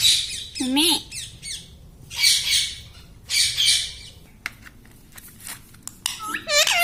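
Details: Pet parrot mimicking speech: wavering harmonic syllables and several rough, noisy squawks in rapid bursts, then quiet clicks and a final run of wobbling, speech-like notes.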